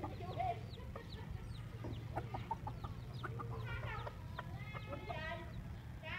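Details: Mother hen with a busy flock of chicks beside a road to an elementary school in Vietnam; dense high, rising chick peeps mixed with short stacked clucks, over constant low engine-like hum.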